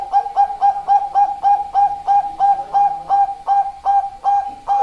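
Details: Bangkok-type perkutut, a zebra dove, delivering a continuous string of short, even coos, about three each second, all at the same mid pitch with a slight upward flick on each note.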